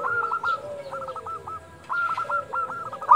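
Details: Several local zebra doves cooing at dusk, their soft stuttering coo phrases overlapping one another at moderate volume.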